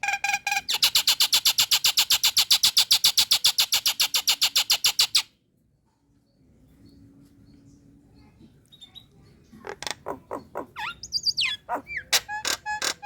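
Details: Female Nias hill myna, in breeding condition, calling males: a long, very rapid run of loud clicking pulses for about five seconds, a pause, then scattered whistles and sharp notes.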